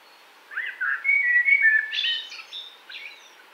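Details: Common blackbird song from Wittlich, 2018. Looping mellow whistles rise into a scratchy, high-pitched twittering tail, followed by a softer trailing note.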